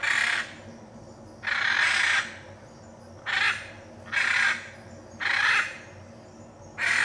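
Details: Hyacinth macaw from the Brazilian Pantanal calling repeatedly, six loud, harsh screeches at roughly one-second intervals, each raw and broadband, separated by short quiet gaps.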